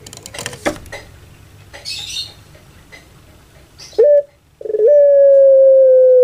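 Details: Kept Pelung turtle dove: after soft rustling and clicks, a short clipped note, then a long, even hoot that holds steady and slowly sags in pitch.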